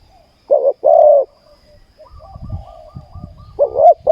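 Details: Spotted dove at a ground trapping site giving deep soft coos, short then long, followed by a pause with faint rustling and distant chirps before cooing resumes.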